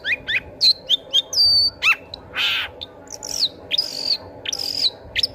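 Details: Long-tailed shrike in lively song, played to coax other shrikes that have stopped singing: clipped chirps, drawn-out high whistled notes and a rasping buzzy burst midway, in a varied, halting sequence.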